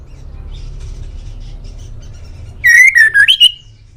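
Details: Song of a male white-rumped shama from Indonesia, used to coax pet birds into answering. Low background murmur, then a sudden sequence of rich whistles dipping and rising, ending on a drawn-out upward note.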